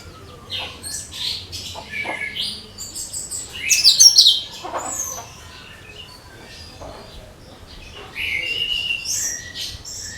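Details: Cucak kinoi bulbul song, used as a lure for all kinds of birds: bright high chirps and short whistled phrases in bursts, with a louder scratchy flourish near the middle and quieter twittering later.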